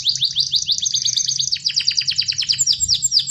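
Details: Canary singing intensely, a track for provoking reluctant canaries: dense chain of quick falling whistled strokes, about three per second, some doubled, bright and continuous throughout over a faint low hum.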